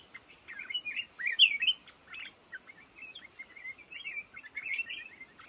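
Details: In a bamboo thicket of lồ ô, a black-crested bulbul gives a lively jumble of quick, wavering whistled notes, loudest in the middle, over a quiet background.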